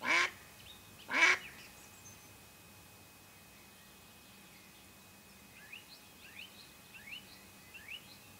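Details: Mallard hen used as a live lure to draw wild ducks during a hunt: two loud, harsh quacks about a second apart, followed by faint, thin, descending whistled notes in the background.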